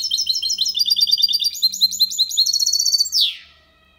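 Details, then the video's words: A goldfinch-canary hybrid delivers a clean Málaga-copy song meant to stimulate females and tutor young: dense, fast, high tinkling twitter, rising slightly into a rattled phrase, closing with a downward slurred buzz; faint low hum underneath. "Mixto de Jilguero Cantando Limpio sin errores (copia malaga) Hybrid de Chardonneret chantant propre"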